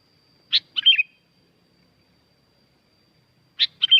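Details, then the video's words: Sooty-headed bulbul recorded at Curug Agung, Subang, West Java, Indonesia, singing noisily, used as a lure to prompt silent bulbuls to sing: two bursts of quick, bright chirped notes separated by three seconds of silence. "Kicau asli kutilang ribut gacor pancingan buat kutilang macet bunyi"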